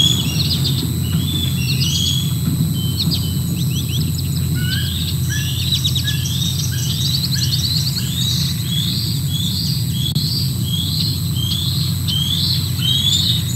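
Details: Juvenile bald eagles calling around a food drop by a parent on 13 July 2024. Clusters of high, thin, sharply rising squeals come in quick bursts, over a constant low rumbling background hum.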